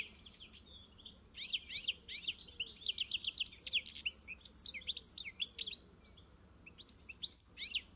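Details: European goldfinch delivering a fast tumbling phrase of sharp chirps and buzzy trilled notes, after a quiet start, then trailing into a few scattered notes.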